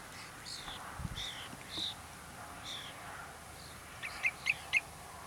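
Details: Common Redshank in Prunjepolder, Zeeland, on 15 June 2010 gives a quick run of four clear, piping, downslurred notes near the end, after a few fainter whistles, over a steady background hiss.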